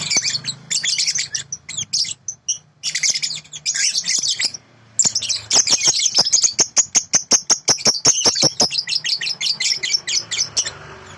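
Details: Sooty-headed bulbul, from a master recording: a long, jumbled high warble, then a rapid run of sharp, clicking notes repeated nearly twice a second and slowing toward the end.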